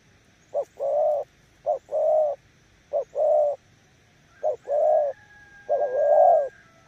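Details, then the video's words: Spotted dove decoy in Kon Tum giving nước gù coos. Paired phrases of a clipped note and a longer breathy coo, about four pairs, with a faint thin background whistle near the end. "Nước gù ae tự đánh giá, mồi yếu gặp thứ này chắc cũng thua"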